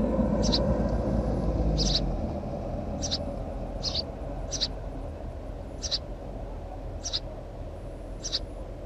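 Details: High, clipped chirps from a house sparrow, about nine spaced irregularly over a continuous low droning background.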